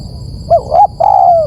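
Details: Lure call of a spotted dove: a single phrase of two quick upslurred coo notes, then a sustained coo that gently falls at the end, with low steady hiss behind.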